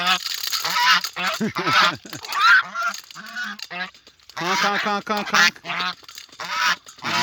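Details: Several domestic geese approach and honk in loud, nasal, overlapping bursts with quick runs of harsh notes, a man's voice faint, at a shallow, muddy pond smelling of cow manure, about 8 AM on 20 September 2022.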